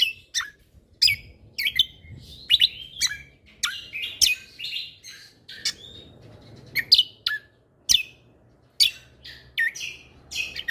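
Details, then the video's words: Lively gacor song of a lesser green leafbird, offered as tutor material for the tembakan style: bursts of piercing chips and slurred whistles separated by short gaps, with faint low background rumble. "Cucak Kombo Gacor Mentalan Pas Untuk Masteran Burung Isian Tembakan"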